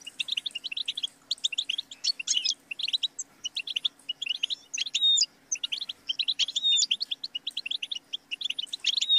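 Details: European goldfinch singing a fast twittering song of short bright chirps and rattles, bursts broken by brief pauses, a steady faint low hum beneath.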